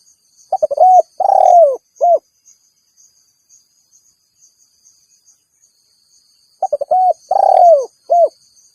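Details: Spotted dove calling rivals, a call used to lure wild doves. Two phrases about six seconds apart, each a few short stuttering notes, a long falling coo, and a short final coo, over a steady high insect hum.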